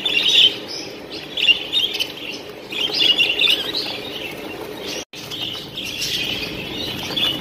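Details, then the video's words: Texas-type mutation budgerigars in a breeding room with chicks chatter in a steady stream of high, scratchy chirps and warbles from several birds at once, with a faint hiss of room noise underneath. "teksas muhabbet kuşu üretimhanesinde son durum"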